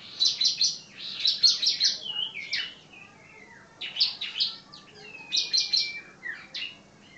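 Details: Common iora, locally called cito, sirtu or cipow, singing: bursts of bright, chirpy high notes delivered in quick clusters, broken by a clear drawn-out whistle near the middle and more rapid chatter after, against a quiet background.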